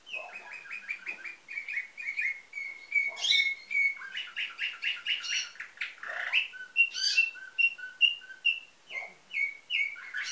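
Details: Nightingale-type canary song from a Bulgarian breeder in Varna, recorded 2013: fast repeated chirps rolling into varied trills, sharp whistled notes and rattling phrases, loud and continuous.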